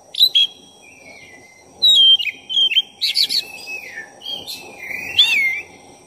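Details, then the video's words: Energetic song of a black-breasted oriental magpie-robin, played to provoke another magpie-robin. Bright whistles, quick chattering trills and a long falling slur follow one another in rapid, varied phrases over a faint constant hiss. "Pancingan suara kacer dada hitam gacor efektif buat menaikkan emosi Kacer"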